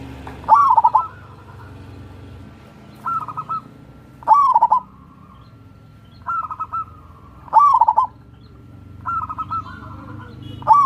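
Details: Perkutut, a local zebra dove, singing a lure song for lazy birds: clear rolling coo phrases repeated roughly every one and a half seconds, loud stuttered phrases alternating with softer ones, quiet background.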